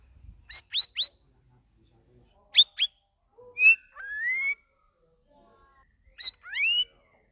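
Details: Straw-headed bulbul (cucak rawis), caged, in its second week after a group cage and singing vigorously (gacor): bursts of fluty rising whistles in groups of two or three, with longer gliding whistled phrases between pauses.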